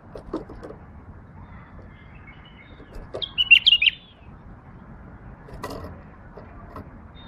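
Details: Single lively phrase from a tame female bulbul kept as a pet: a quick run of clear, twisting whistled notes lasting under a second, with scattered soft clicks and room noise around it.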